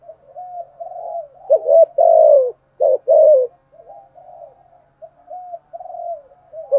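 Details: Spotted dove kept as a lure to provoke rival males; soft wavering coos open and close the recording, with a loud run of clipped notes and longer falling coos in the middle.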